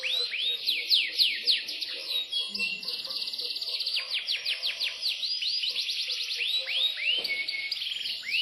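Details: Yorkshire canary, imported, in a long lively song of rapid chip series, looping arched notes and fast trills, switching pattern every second or two.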